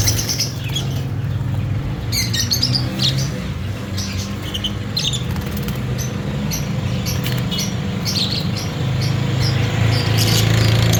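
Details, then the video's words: Fischer's lovebirds chirping. Dense bursts of short, sharp, high chirps come in rapid, uneven succession over a steady low hum of background noise. "Fisher love birds Talking ||Lovebird sound||Chirping Sounds"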